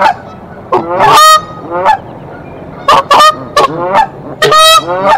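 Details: Nesting Canada geese in Decorah fight off an intruder goose on 1 April 2024: loud brassy honks in clusters, a long blaring call near the start, then paired honks separated by brief quiet gaps.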